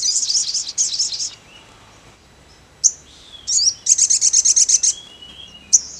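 A ruby-cheeked sunbird gives very high, rapid chittering bursts, then a quick string of about ten sharp, evenly spaced notes, with a few lone chips between.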